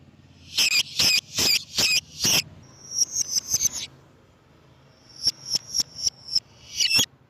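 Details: Lovebird calls for luring lovebirds: five loud, harsh screeches in quick succession, then rapid thin, high chips in two runs, closing with one more rough screech; soft hum behind.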